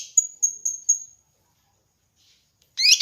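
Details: Kinoi bird song from a master recording used to train and lure birds: four high, clear whistled notes spaced about a quarter second apart, then a pause and a short, harsh, chattering burst at the end.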